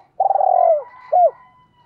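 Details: Spotted dove lure call for trapping: a long, throaty, downward-sliding coo followed by a short arched coo, one clear phrase.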